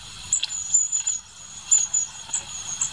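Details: Long-tailed tit calling in high, thin, drawn-out tseee notes broken by brief sharper flicks, several in three seconds.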